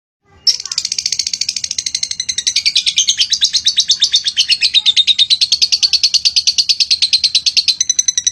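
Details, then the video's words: Lovebird in full song, used as a master recording for training other birds: a long, fast run of harsh, buzzy chattering notes, about three per second, steady and unbroken for most of the recording. "BURUNG LOVEBRID GACOR DORR. COCOK BUAT MASTERAN"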